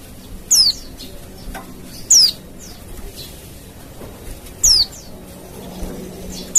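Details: High, piercing downward-sliding whistles from a wild Oriental white-eye, played to provoke other white-eyes into answering. The notes are spaced about two seconds apart, with faint extra slurs and a low steady hum underneath.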